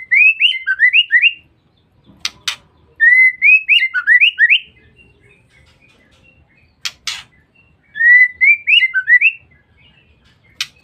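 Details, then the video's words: Lure call of a female white-rumped shama, the ngeriwik used to provoke males. Three bursts of six to eight rapid rising whistles come about three seconds apart, with sharp clicking bursts in the gaps. "Pancingan Suara Murai Batu Betina"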